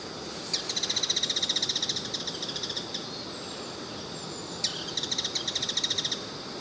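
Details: Bull-headed shrike from a compilation of its varied calls recorded over several years: two bursts of rapid, evenly spaced, harsh high chattering notes, about a dozen per burst, each opened by a sharp note, over steady background hiss.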